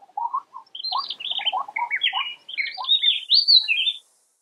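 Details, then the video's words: Oriental magpie-robin singing a rich, varied run of whistled and warbled phrases that jump between low and high notes. The phrases come almost without pause for about four seconds, and no other sounds are heard. "鵲鴝 Oriental Magpie Robin"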